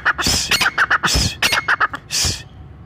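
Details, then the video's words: Hunters' call of the brown francolin, said to bring francolins together in the forest: loud scratchy bursts alternating with clipped whistled notes, trailing off near the end. "براؤن تیتر قدرت کا شاہکار۔۔ brown frencolin voice"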